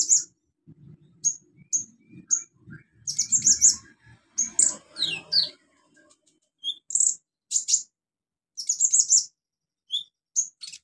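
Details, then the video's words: Male olive-backed sunbird in full song, used as a lure to stimulate sunbirds that have stopped singing: high thin chips and sharp twittering trills delivered in scattered bursts, with faint low rustling and knocking sounds in between. "KOLIBRI NINJA SUPER GACOR NEMBAK ISIAN BUAT TERAPI PANCINGAN KOLIBRI NINJA MACET BUNYI"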